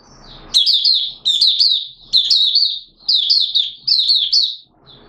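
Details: Oriental white-eye (Malaysian Mata Puteh) in buka song, Singapore, 29 March 2023, warm and humid: five evenly spaced bursts of quick, piercing, warbled notes, each cluster rising then dipping, separated by short silences.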